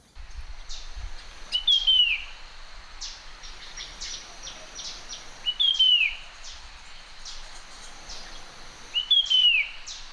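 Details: A Puff-throated Babbler in a garden in western Thailand gives its morning song, a clear, high, downward-sliding whistle repeated about every four seconds, over a chorus of other birds' chips and chirps.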